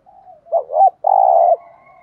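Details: Lure-calling spotted dove (cu gáy thúc gù), used to make wild doves reply. After a faint murmur there is a single phrase: a rapid doubled note and then a held, throaty coo that ends abruptly, followed by soft background cooing.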